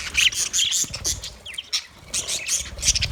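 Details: Budgerigars in an Australian aviary: quick high chirps and shrill squawks from several birds, a brief lull midway, then renewed twittering.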